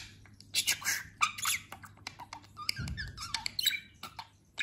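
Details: Recently molted, plump pet budgerigar that talks, producing a jumble of squeaks, clicks and scratchy speech-like chatter in rapid succession, with a low thump partway through.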